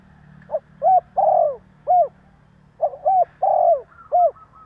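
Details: Spotted dove calling to provoke others, delivering two repeated phrases: a quick coo, a clear arched note, a long vibrating coo and a falling final note, separated by a short silence.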